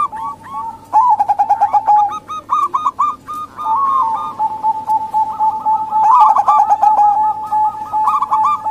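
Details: Female zebra doves of the local and Bangkok types, calling to lure males. Loud bursts of clipped, stammering coos alternate with sustained tones and quick repeated notes.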